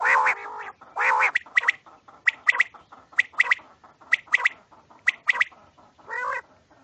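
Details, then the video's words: Quail at night, used for quail hunting: a run of quick, clipped two- and three-note calls repeating steadily, bracketed by louder harsh, nasal buzzy notes at the start and end. "Quails sounds"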